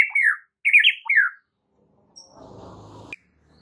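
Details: White-rumped shama song used as a training recording: three slurred whistled phrases sliding downward, followed by a short stretch of low rumbling noise and a sharp click.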